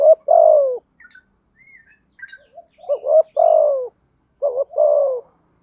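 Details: Spotted dove calls, male and female, for training and luring birds: two phrases of a quick double coo and a long falling coo separated by a pause, with soft high chirps of other birds between.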